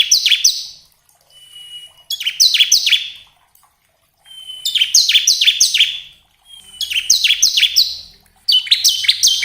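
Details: Bar-winged prinia song used to stimulate caged birds into song: several phrases of quick, high, downslurred chips about two seconds apart, some preceded by a thin whistled note.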